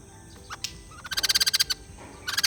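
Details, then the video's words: Short bursts of fast, buzzy, pulsed chatter from a white-crested laughingthrush, with a brief gap between two rattling phrases. "Beli Poksai Jambul males bunyi, dengar suara ini malah GACOR"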